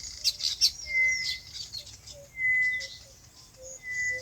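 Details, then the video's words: Farm birds in their natural habitat: clear, steady high whistled notes recur about every one and a half seconds, with soft low pips and background twittering. "Relaxing Bird Chirping Sounds"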